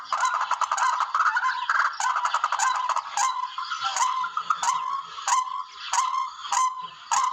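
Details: Barred rail, recorded as a hunting lure, gives harsh, nasal, grating notes in a rapid run, roughly one or two per second, some overlapping as if several birds call together.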